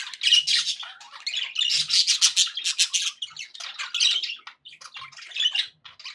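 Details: Happy chatter from pet budgerigars, a fast run of raspy, buzzy notes and sharp chirps packed closely together, loud pulsing bursts with a short lull near the end.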